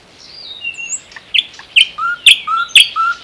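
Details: A common nightingale in the Unzha floodplain or Kologrivsky Forest reserve delivers a soft rising whistle, then a repeated phrase of a bright sharp note followed by a lower pure whistle, given four times about every half second.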